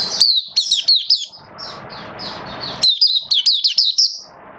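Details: Oriental white-eye singing in captivity during rainy weather, 8 October 2022, 'buka sing raja': two runs of quick, piercing twittered notes separated by a short hissy pause.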